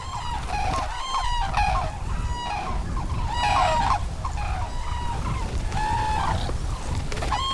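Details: White-naped cranes in autumn, after a 2,000 km flight, landed in harvested rice fields in the Cheorwon DMZ, South Korea, give loud, bugling, trumpet-like calls, several in quick succession from more than one bird, over a low background rumble.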